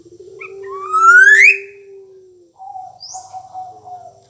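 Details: Black-naped oriole in lively song: a bright whistle gliding steeply upward, then a steady mid-pitched fluty note, over a long, low, even tone lasting about two and a half seconds.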